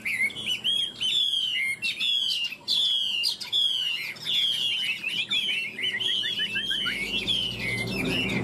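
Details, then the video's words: Chinese hwamei from a caged pair tamed three years, singing in a duel: steady series of loud ringing whistled phrases, each a quick upswept-then-falling note, repeated densely for over eight seconds. "Họa mi hót đấu cánh đuôi đẹp - 2 em thuần 3 năm lồng"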